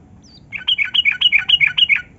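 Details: Yellow-vented bulbul (trucukan) song used as a lure to get reluctant caged bulbuls singing: one quick run of about ten bright, bubbly notes that rise and fall, delivered briskly over quiet background.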